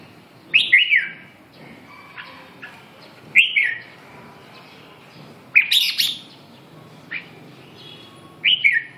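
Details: Red-whiskered bulbul singing: short, bright whistled phrases with quick falling notes, repeated about every two to three seconds, with a quiet steady background hum.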